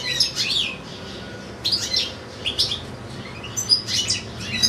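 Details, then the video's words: European goldfinch in a cage with another goldfinch and two goldfinch-canary hybrids, singing at length: clusters of sharp tinkling twitters separated by short pauses, each burst fast, bright and jangling. "ΚΕΛΑΗΔΉΜΑΤΑ ΑΠΌ καρδερίνες & καρδερινοκάναρα"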